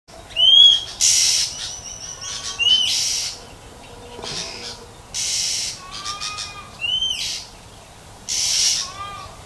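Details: Wild female Oriental magpie-robin in nature calling to stimulate males: short upward-sliding whistles alternate with broad, hissing rasps, several of each over nine seconds, with a low steady background hum.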